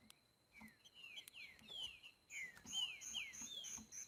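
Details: Green-winged saltator singing freely in boiadeiro style: a run of repeated downward-slurring whistles at a lively pace, growing louder in the second half, with light tapping sounds and a constant high whine.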